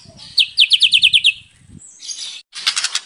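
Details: Actively singing white-rumped shama, its full song used as a lure for other birds: a quick high trill of seven even notes, followed by a hissing burst and a brief buzzy chatter, with faint low rumble beneath.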